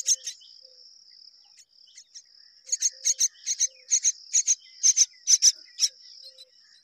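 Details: Myna parents jointly raising babies; after a near-quiet opening with a steady high whine, a run of rasping high chirps starts, mostly paired, repeated at an uneven pace.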